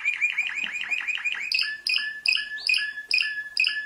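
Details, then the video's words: World-champion canary singing: a quick run of rising-and-falling chirped syllables for about a second and a half, then bright downward-sweeping notes with ringing overtones repeated roughly every half second. "Canto de canario"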